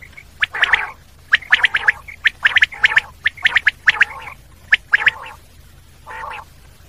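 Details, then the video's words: Common quail calls: dense clusters of sharp, clipped triple notes overlapping with raspy nasal grunts, phrases coming in quick succession, then a final isolated burry note after a short gap. "Common quail sound// Batair ki awaz"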